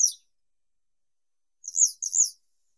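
A western yellow wagtail gives two quick, high, slurred chirps close together, after a clipped note at the start. Nothing else is heard.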